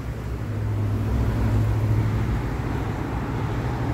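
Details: Deep engine drone of a nearby vehicle swelling and holding steady, with no animal calls.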